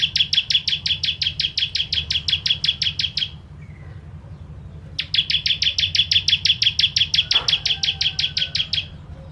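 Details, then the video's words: Bar-winged prinia, known as ciblek, pouring out 'tembakan pedas' song meant as a master for songbirds: two extended bursts of fast repeated high chirps, each over three seconds, split by a brief quiet gap, over a faint hum. "Ciblek Kristal Tembakan Pedas"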